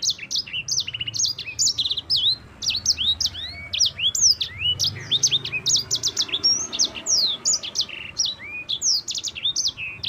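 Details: Long, clear rolling song from a champion yellow-fronted canary (mozambik): dense runs of bright high whistles, rising and falling slurs and short stuttered trills, sustained for ten seconds as a lure for other birds.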